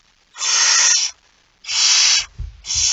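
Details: Barn owl with a mouse, 17 September 2019, 01:49: rough sanding-like hisses, two full bursts and the start of a third, roughly one every 1.2 seconds, plus faint low bumps.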